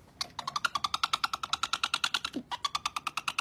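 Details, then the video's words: An owl gives a fast, raspy chitter of about seven notes a second, pausing once briefly before resuming; nothing else is heard. "Cute owl and sound"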